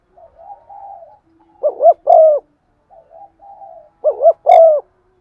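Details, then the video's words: Spotted dove kept as a lure bird, cooing in a practiced style to stimulate other doves: a soft low murmur, then a quick double coo followed by a longer drawn coo, repeated twice. "Tiếng chim cu gáy mồi thúc gù bài bản giọng son"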